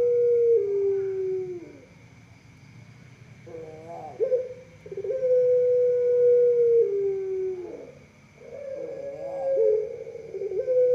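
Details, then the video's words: Pelung dove giving its long-drawn voice: sustained, steady mid-pitched notes about two seconds each that sag lower at the end, separated by brief wavering, warbled phrases, with a faint constant hum behind. "Kumpulan _Suara Puter Pelung Bikin Burung Puter Lain Ikut Manggung Gacor"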